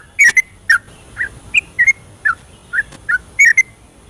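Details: Night-time 'ropelan' song of a vigorously singing yellow-vented bulbul, meant to provoke reluctant bulbuls into singing: about a dozen short, slurred whistles at uneven spacing, some paired into quick doublets.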